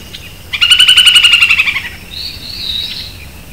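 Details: Hook-billed kite song recorded in Brazil's Caatinga: a fast, bright chattering rattle of about fifteen clipped notes in just over a second, followed by a faint high whistle.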